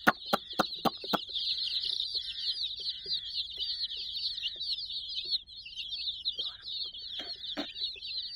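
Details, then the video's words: Sixty young chicks at play with a teddy give an unbroken wash of high peeps; quick loud taps open the recording and a few more sound near the end, along with faint buzzy calls. "silly chicks chirping"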